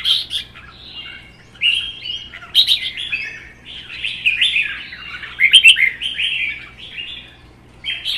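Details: Contest singing between caged red-whiskered bulbuls, one captive-bred, one taken from the wild: dense run of fluid warbled phrases and quick chattering notes, nearly unbroken, over a faint background hum.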